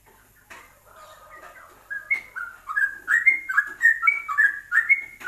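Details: Yellow-vented bulbul ropelan singing, WK combination for masteran training: it starts softly with low warbles, then swells into loud, quick whistled notes, each bending downward, chained about two per second and rising slightly in pitch toward the end.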